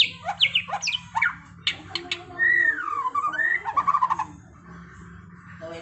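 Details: A white-rumped shama sings in the trontolan ngeroll style, opening with quick slurred whistles, then a long warbling phrase that swoops up and down, ending in rapid stuttered notes over a steady low hum.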